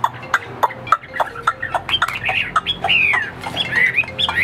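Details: Chinese hwamei giving a series of dry knocking clicks and short notes, turning into loud looping whistles that rise and fall in the second half.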